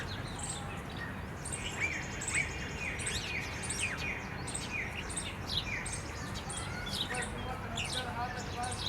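Jungle babblers give harsh, squeaky chattering calls, several birds overlapping in a nearly continuous noisy stream over a steady low background rumble.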